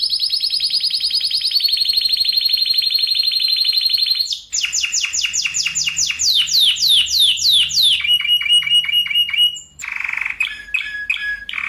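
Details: Spanish Timbrado canary song recorded as a tutor and lure for other canaries, with tight rolling trills: a long fast high roll, then a run of quick descending notes, a metallic pulsed section and buzzy low rolls.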